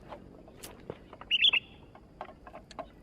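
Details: Sooty-headed bulbul singing actively: one short bubbly phrase of three or four quick liquid notes, set among faint scattered chirps and soft background rustling.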